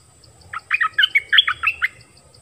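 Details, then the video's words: Belonging to a wild bird family, this singer pours out a quick sequence of about nine bright chirps and slurred whistles, with a low soft rumble and faint high tone behind. "เสียงนกดอกแตงEp.19 นกป่ามาทั้งครอบครัว!!!"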